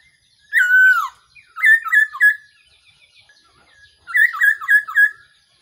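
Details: Black-throated laughingthrush calling, a recording used as a trapping decoy: a falling whistle, three short clear notes, a quiet gap, then a fast series of five bouncing whistled notes.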